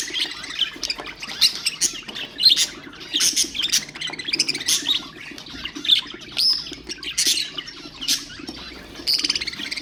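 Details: Budgerigar song used to stimulate other birds: continuous warbled chatter studded with sharp chirps and squawks, pulsing in bursts every second or so.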